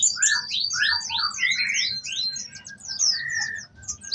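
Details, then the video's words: Orange-headed thrush singing busily with borrowed phrases: a run of quick downward-sweeping high whistles, then scattered chirps and a short level whistle, over a soft low hum. "kemade gacor isian"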